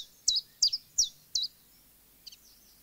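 A chiffchaff sings four sharp, high notes at an even pace, about three per second, the familiar 'chiff-chaff' rhythm, followed by a faint softer phrase.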